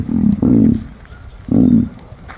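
An emu gives deep, throaty grunting bursts, two close together and then a third after a pause, each low and rumbling with a pulsing texture.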